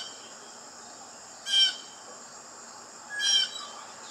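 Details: Blue jay calls: two rough, scratchy bursts about two seconds apart against a steady, thin high-pitched background hum.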